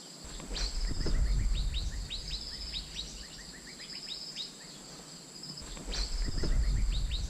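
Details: Asian fairy-bluebird lure call: quick runs of upward-sweeping whistled chirps repeated in bursts, a constant high-pitched buzz beneath, and low rumbling thuds at the start and end.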